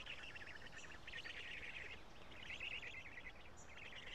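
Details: At a Karula black stork nest on 3 June 2017, nestlings fed by the adult male give fast, rasping trills in two long runs separated by a brief break, with background hiss throughout.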